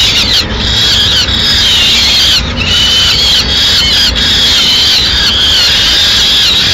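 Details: Peregrine falcon female bringing pigeon prey to the nest in Madrid on 6 May 2016; continuous harsh wailing calls with brief breaks, low constant hum underneath.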